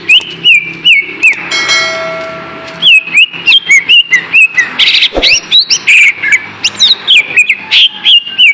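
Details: Lesser green leafbird song used as a lure to get lazy kept birds singing again: loud, busy run of sharp whistled notes and chirps, many clipped phrases repeating around a steady pitch, with brief buzzy and rasping bursts mixed in.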